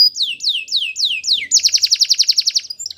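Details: Spanish Timbrado canary song used for training: five slow, sweeping downward whistles, then a rapid metallic trill of about twenty evenly repeated notes, loud and clean.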